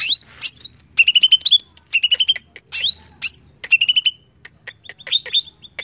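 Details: Lively greater green leafbird song for luring birds into singing: rapid bursts of repeated chirping notes broken by sharp upswept whistles, delivered in steady short phrases roughly every second.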